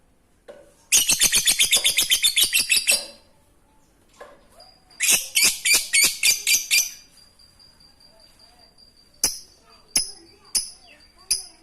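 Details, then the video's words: Lovebird in the ngekek singing style, used to prompt quiet lovebirds to sing: two bursts of rapid, even, high chattering notes lasting about two seconds each, then a few sharp isolated chirps. "Lovebird ngekek Receh Mantap Untuk Pancingan Lovebird malas bunyi"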